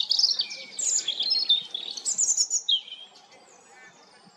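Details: European robin song: a fast, high, jumbled warble of trills and sliding notes lasting about three seconds, ending in a descending whistle before quiet.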